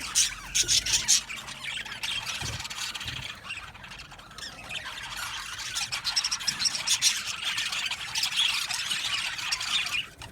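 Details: Colony of Australian budgies in an aviary keeps up a long stream of high, squeaky chirps, squeals and chatter from many birds, dipping briefly in the middle before swelling again.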